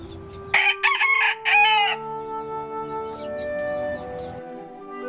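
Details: Bantam rooster from a cage-free backyard flock in a city; a loud, harsh, broken crow lasting about one and a half seconds, then faint high chirps from the flock, with music playing throughout.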